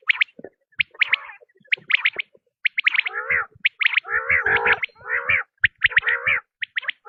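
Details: Quail lure recording used by hunters: rapid clusters of high, clipped whistled notes mixed with rolling, harmonic, buzzy trills, continuing busily throughout.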